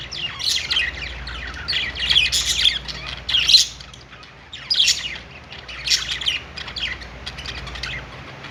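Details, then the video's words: Budgerigars singing on a perch in a pet store: busy, high chattering chirps and squawky bursts from several birds, overlapping in irregular clusters about every second, with short quiet gaps. "budgies singing on perch | parakeet chirping sounds in pet store"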